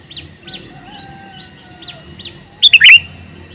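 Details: Male sooty-headed bulbul calling: a single loud, bubbly burst of three or four quick notes arrives near the end, preceded by faint, thin whistles from other birds in the background.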